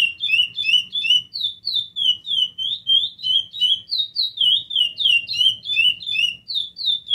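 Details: A captive Chestnut-bellied Seed-Finch (curió), a trophy-winning bird described as singing a lot, sings a long, unbroken stream of clear, fluty whistled notes. The notes are fast and high and slur up and down over a faint low hum.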